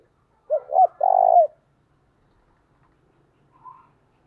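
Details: Spotted dove giving its luring call at dawn, thổ đồng style: two short rounded coos, then one drawn-out rolling coo, then a brief faint note after a pause, in quiet surroundings.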